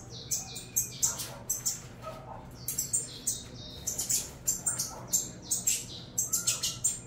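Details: Feeding-time begging from young saffron finches, a mix of clipped high chirps and raspy squeaks in quick irregular clusters, with occasional faint tonal notes lower down.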